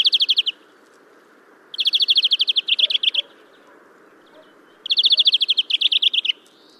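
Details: European greenfinch singing in Kholm, Novgorod oblast, Russia, in April 2015: fast, bright trills in bursts of about a second and a half, each shifting partway into a slightly different trill, repeating every few seconds.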